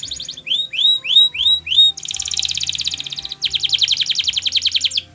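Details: Canary song for training, possibly Spanish Timbrado style: a run of rising whistled sweeps, then a long rapid buzzy trill, a brief pause, and a second fast metallic trill.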